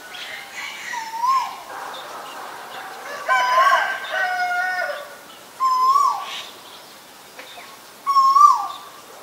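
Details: Male Asian koel calling: four loud tonal notes about two seconds apart, each swelling upward then dropping, with rich overtones. Fainter calls and chirps from other birds are heard in the background between the notes.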